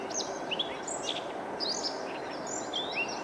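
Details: Siberian rubythroat song: brief scattered whistled and slurred notes, some rising, some dropping, spaced irregularly over steady broad background hiss.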